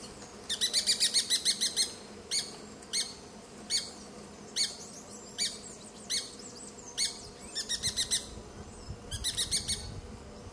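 Grey-breasted Parakeet giving harsh, grating screeches in quick bursts of several notes, then single and paired calls, with a steady low background hum.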